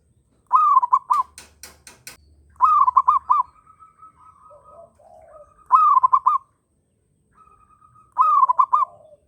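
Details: Breeding-condition local zebra dove sings four warbled, stuttering coo phrases in nine seconds. Other birds answer with softer, lower coos, and a burst of sharp clicks follows the first phrase.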